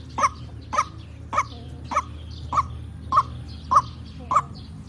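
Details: White-breasted waterhen calling strongly in a lure recording used for trapping: a steady series of short, rough croaks about twice a second, evenly spaced and of even loudness, with faint low background rumble.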